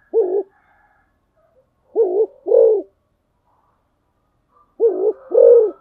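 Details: Spotted dove serving as a decoy, a lone soft coo followed by two low paired phrases of short note and longer purring coo, with faint distant whistles.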